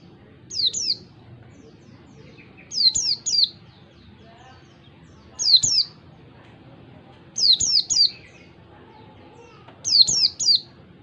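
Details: Oriental white-eye (pleci) singing in the ngalas, wild-forest style, clear-voiced and meant as a master song for teaching other birds: five bursts of two or three high, sharply falling whistles, spaced about two seconds apart, with a faint low hum.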